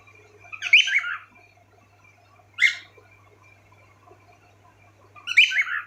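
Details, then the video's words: Pet cockatiels kept together indoors. Short bursts of warbled, screechy chirping separated by pauses, with a soft steady background hum. "Cockatielbird's all of them making sweet sounds"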